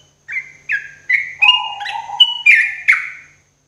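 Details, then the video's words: Sooty-headed bulbul singing in the morning, a therapy recording for cage birds: a phrase of about eight clear whistled notes, each sliding up or down, some layered over a lower sustained tone, then silence. "TERAPI TRUCUKAN PAGI HARI"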